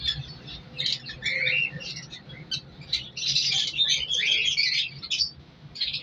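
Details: Aviary colony of breeding colour lovebirds in winter: irregular bursts of screechy, chattering calls from several birds, loudest in the middle, over a faint low hum.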